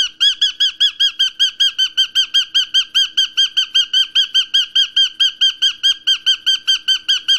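A cockatiel gives a rapid, steady series of shrill, rasping squawks, several each second.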